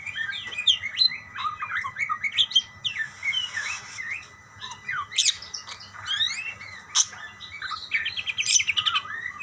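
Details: Budgerigars exchanging calls in a long, lively stretch of scratchy warbles, high squeaks and clicking chirps, rising and falling in bursts.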